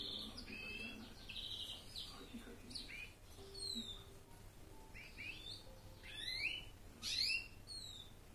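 A European greenfinch sings a varied twittering song of quick chirps, short trills and sharp falling notes, with a faint low hum underneath.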